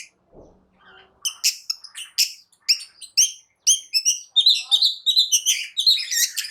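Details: A cendet, or long-tailed shrike, singing to agitate quiet birds: a faint low tick, then a string of sharp high whistled notes and clipped chips that grow denser and more chattering.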